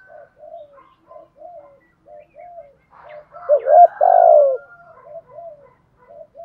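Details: Spotted dove lure bird cooing in thúc gù style to provoke other doves. A steady string of soft, evenly spaced coos runs throughout, broken by one loud phrase of a hooked rising note and a long falling coo.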